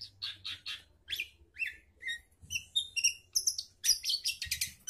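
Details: Actively singing long-tailed shrike, used as a lure for a bird gone quiet: varied notes, from rasping chirps and short upslurred whistles to rising high whistles and a fast jumbled high twittering at the end.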